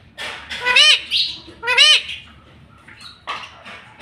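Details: Ring-necked parrot kept as a talking pet, giving two loud arched nasal syllables about a second apart, followed by softer scratchy chatter.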